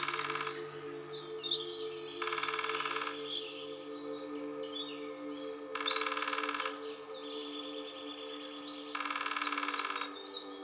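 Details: Drumming by a female Lesser Spotted Woodpecker, one of a pair in Nottinghamshire woodland, UK: four fast, evenly spaced knocking rolls of about a second each, two to three seconds apart, with faint chirps from other birds and a constant hum.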